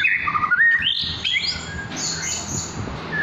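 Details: Forest-caught white-rumped shama in care, beginning to sing: a short phrase of varied whistled notes climbing step by step to high sweeping tones, over steady background noise.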